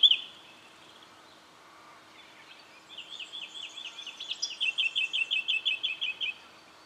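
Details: Brown treecreeper recorded in Victoria, Australia, in October 2011, giving a fast rattling string of high, sharp notes that starts softly and grows louder over about three seconds before stopping abruptly, after a quiet opening.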